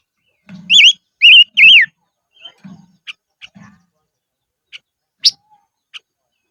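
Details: Decoy silver-eared mesia singing in the highlands: three rapid up-and-down whistled notes over low thuds, followed by scattered sharp clicks and one short high note.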